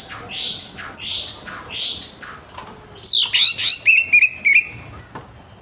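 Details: Orange-headed thrush giving a rough morning song to get untrained birds singing quickly: three rasping, scratchy phrases about a second apart, then a burst of sharp, high whistled notes and short clipped chips.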